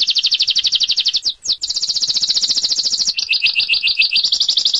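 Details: Lovebird long 'ngekek' trill used to train birds for singing contests: a loud, high, rattling chatter running for seconds, broken by one brief dip, then continuing at a slightly lower pitch.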